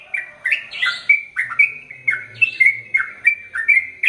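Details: Sooty-headed bulbul in long, continuous song: a burst of rich, chattering notes, then a steady stream of short, liquid, slurred whistles with a faint low hum behind.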